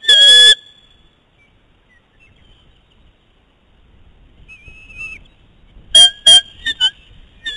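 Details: Two eagles whine and beak at each other over prey on their nest; a loud shrill burst opens, a faint thin whistle follows, then a quick series of sharp piercing yelps.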